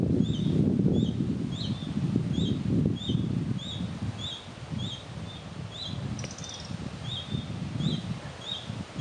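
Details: Young red-breasted flycatcher in Chiemgau giving a steady series of brief high ticking chirps, roughly three per second, with strong low rumbling and rustling noise underneath and one brief higher buzzy note.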